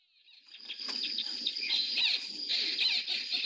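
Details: Hartlaub's (white-rumped) babblers, resident in lodge gardens near Mahango National Park, Namibia, give very loud, harsh, raucous chattering in a rapid, uneven jumble of grating notes, often heard before seen, with a steady high hiss beneath.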